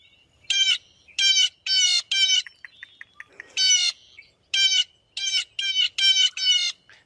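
Blue Jay giving about ten harsh, grating jay notes in quick runs, with a brief pause and faint clicks midway.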